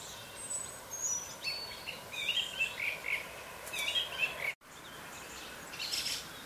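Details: Morning birdsong from several birds, with scattered chirps and short twittering phrases overlapping at mid-high pitch, and a sudden brief dropout near the end.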